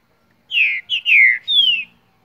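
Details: Green-winged saltator, young two-year-old bird from Mar de Espanha, Minas Gerais, gives a short phrase of four loud descending whistles, the third longest, delivered in under two seconds against a quiet background.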